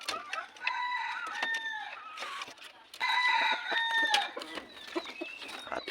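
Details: Kept red junglefowl, known locally as manok labuyo: two long crows, each a stacked harmonic phrase that holds steady and then drops at the end, about three seconds apart. Scattered clucks and clicks sound in between.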